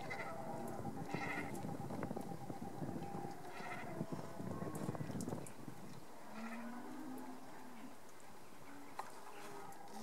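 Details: Great cormorants at a night roost in Marais d'Harchies, Belgium, give deep, guttural croaks and bleating grunts, many birds overlapping in a low, rough chorus with faint higher calls behind.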